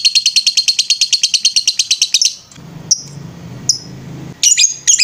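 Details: Lovebird ngetrek trill from a bird-training master: two seconds of quick, high rattling pulses, a pause with a few single chirps, then short chattering bursts.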